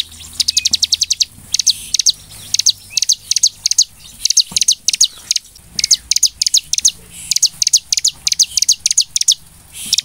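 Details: Bar-winged prinia song used as a lure to provoke other prinias into singing: fast bursts of sharp, high, chattering notes in quick runs separated by short pauses. Other notes are scattered between the runs.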